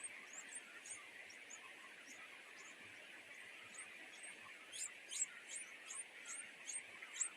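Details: Two greedy wild nightingale chicks at the nest begging their mother for food: thin, high squeaky calls, sparse at first, then coming quickly two or three per second. A steady insect-like hiss runs underneath throughout.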